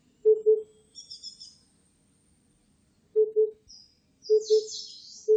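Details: Oriental cuckoo calling with deep, soft paired hoots separated by irregular pauses, three pairs plus the start of a fourth, while small birds chirp and twitter at high pitch in the background.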